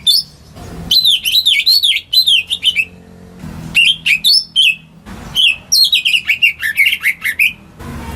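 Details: Greater green leafbird raised at home, its song meant to prompt silent birds to sing: bouncy looping whistles in quick succession with sharp upper chips, paused twice, faint low hum beneath.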